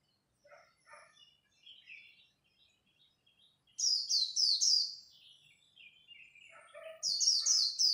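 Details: Competing white-eye at dawn, two loud bursts of quick, high warbled phrases rising out of soft scattered twitters and lower chirps.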